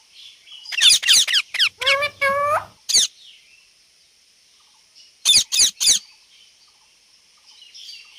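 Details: Pet ringneck (rose-ringed) parakeet talking and making sounds: a quick burst of harsh, rasping squawks and a few mimicked speech-like sounds, then three more shrill screeches after a pause.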